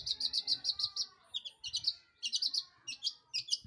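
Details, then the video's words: Long-tailed shrike song meant to draw other birds into singing: quick, high, buzzy chattering phrases of stacked notes, broken into bursts of about half a second, with faint low background noise. "PANCINGAN CENDET GACOR Di Jamin Pasti BUNYI"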